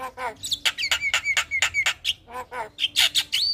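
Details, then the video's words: Javan myna morning calls that prompt other mynas to respond: a rapid series of harsh, broadband bursts mixed with clear whistled notes, several sliding up and down, packed closely together. "Suara Panggilan jalak kebo Pagi Hari Bikin Jalak Lain Auto Respon"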